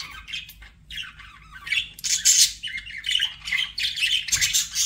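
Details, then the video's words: Domestic budgerigars keep up a steady scratchy warble mixed with sharp squawks and bright chirps, growing louder midway, over a low hum. "BUDGIE SOUNDS"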